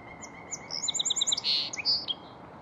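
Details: A Song Sparrow at Beaver Lake sings a quick series of high sweet notes, then a trill and a buzzy note, over a faint steady hiss.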